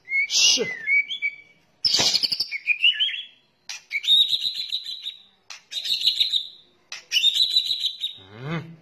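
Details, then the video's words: Harsh crackling lure calls of white-rumped shama, juvenile, male and female: loud grating bursts with buzzy high notes, repeated in five rasping bouts with brief gaps, ending in a low sweeping sound. "SUARA PIKAT KRETEKAN MURAI BATU , TROTOL , JANTAN , BETINA GACOR"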